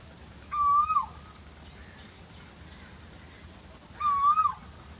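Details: Asian koel calling during the very hot season: two clear, tonal hooting notes about three and a half seconds apart, each slightly wavering and steady in pitch, over a quiet rural background hum.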